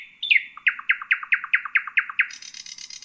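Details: Common nightingale singing: a fast series of about ten loud, clipped, descending notes repeated evenly, then a sudden switch to a high, buzzy, rattling trill; clean recording with no other sounds.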